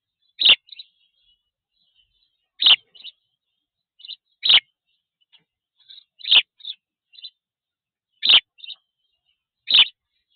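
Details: Spanish sparrow on a nest camera at a black stork nest in Tajo Internacional, Spain, 27 June 2024: single loud harsh chirps roughly every two seconds, each followed by one or two faint, short notes.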